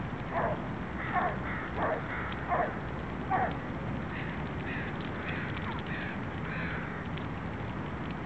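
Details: Canada geese feeding at lunchtime in Vanier Park, Vancouver, on November 23, 2012; five short nasal honks about every 0.7 seconds, then softer, scattered calls over steady low background rumble.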